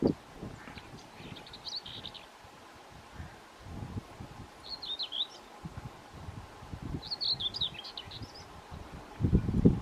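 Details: A male Common Whitethroat singing close to The Cuttings Quarry: three short, scratchy, hurried warbling phrases a few seconds apart, over steady low wind rumble and rustling.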